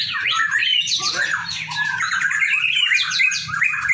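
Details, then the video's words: White-rumped shama singing during a joint training session: a dense, rapid stream of varied whistles, trills and sharp chirps in fast sweeping phrases, continuous throughout, over a low steady hum. "latihan bersama|| murai batu"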